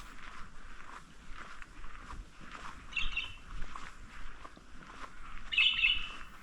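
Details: A Grey Currawong in a drier section near Adelaide, South Australia, gives two brief, ringing "cling" clinks about two and a half seconds apart, over a steady hiss of outdoor background noise.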